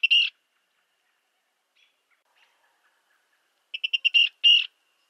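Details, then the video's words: Virginia rail, a small secretive waterbird, giving loud, harsh notes: one burst, a quiet gap with faint ticks, then a quick run of short clipped notes ending in two longer grating calls. "Virginia Rail Sound Clips"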